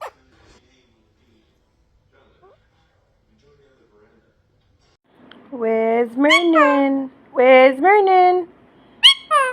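A ring-necked parakeet talks in a voice like a person's, with three or four quick, rising and falling phrases after a few seconds of quiet.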